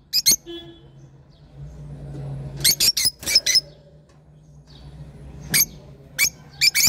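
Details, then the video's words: Lovebird calls in a small room: short, shrill, clipped squeaks in pairs and small clusters separated by quiet pauses of a second or more, with a steady low hum in the background. "love birds sound"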